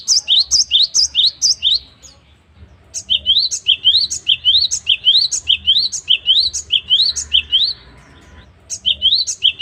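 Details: Great tit known locally as gelatik batu, singing actively, song used to tutor caged birds: rapid series of upslurred whistled notes in tight pairs, a brief gap, then a long steady run of the same phrase, faint low hum behind.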